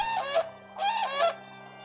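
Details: In Australia, a Brolga gives two loud, rolling trumpet calls, each under half a second, harsh and rich, over a faint low hum; such calling is for mating or partner acknowledgement and begins the pair's dance.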